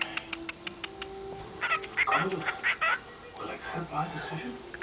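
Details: Female cockatiel mumbling to herself in soft, chattering warbles and squeaky chirps.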